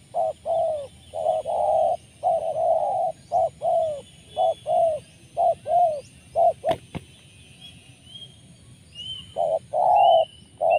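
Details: Spotted dove calling at a graveyard trapping point, voice full of rolling 'rrr': rapid sequences of burred coo syllables, a brief pause with a sharp click, then more coos, and thin whistles of other birds above.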